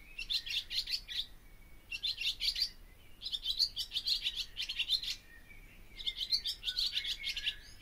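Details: Four bursts of barn swallow song, each a rapid string of sharp chirps and buzzy notes lasting one to two seconds, separated by brief pauses; faint low hum behind.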